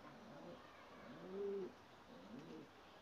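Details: Young white ges pigeon squabs bred from a blue pied ges, a domestic crossbreed type; one short, low, soft coo near the middle, faint over a steady background hiss.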